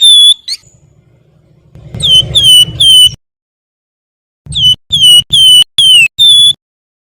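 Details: Wergan, a Javan songbird, giving varied training song for other birds: sharp falling whistled notes in short runs of three to five, with a low hum beneath some phrases.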